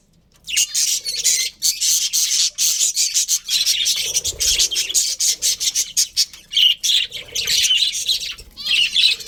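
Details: Brief silence opens, then colourful budgerigars in a breeding colony break into continuous scratchy, high-pitched warbling and chirps. Several birds chatter over one another until the end.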